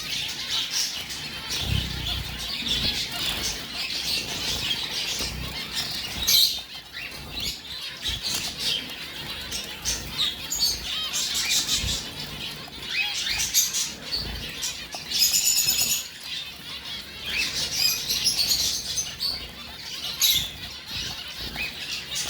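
A group of zebra finches chatters with dense, high, nasal chirps and beeps, with wingbeats mixed in.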